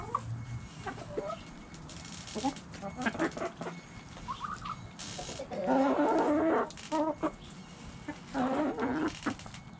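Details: Backyard chickens in a flock, with bursts of loud harmonic cackling and scattered short clucks, plus rustling and other farmyard noise.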